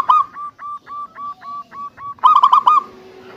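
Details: Local zebra dove with a big voice, used as a lure to spark singing in other doves; a string of short, evenly spaced coos followed by a loud, rolling, stuttering cooing burst.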